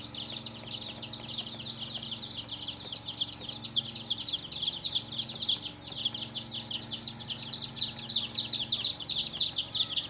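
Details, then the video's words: Young chickens peeping loudly and continuously, a thick mass of bright, falling, high chirps from many chicks, swelling slightly in the second half, with a faint low hum. "Hen Murgi Baby "Chicks Chirping" Sound"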